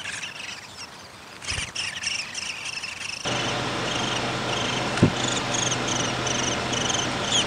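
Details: Downy woodpecker at the nest while feeding, 20 May 2021: faint scratchy notes at first, then a steady run of short high chirpy bursts, several per second, over constant hiss, hum and a sharp click.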